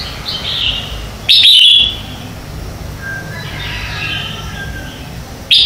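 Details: Red-whiskered bulbul singing its morning competition song for training other birds: a loud clipped phrase early on, quieter distant warbles after, and another sharp note at the very end.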